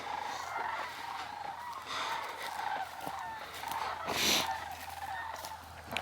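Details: Many sandhill cranes give rolling, rattling bugles overlapping into a continuous chorus over near-frozen South Dakota plains below 30 degrees, around sunset and moonrise, with wind and a brief rushing gust near the end.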